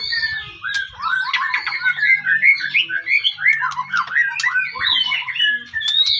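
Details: Continuous rich song of a white-rumped shama, used to provoke rival shamas into singing, with dense warbled and squeaky phrases over a low background hum.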